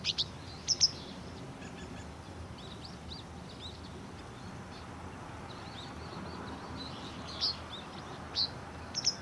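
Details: Japanese wagtail (Motacilla grandis) recently fledged young, fed by a parent, give short, sharp, high begging chirps in scattered pairs and singles, with fainter thin calls over a steady low hum; resident breeding bird.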